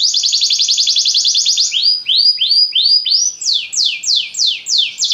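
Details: Belgian canary song opening with a fast buzzy trill, then changing to slower looping whistles and finally rapid descending slurred notes, loud and clear.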